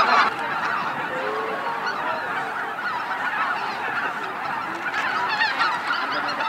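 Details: Greater white-fronted geese flying in to roost at Miyajima-numa marsh, Bibai, Hokkaido, Japan, 2016; a dense, continuous chorus of many overlapping honking and yelping calls from a large flock, steady throughout.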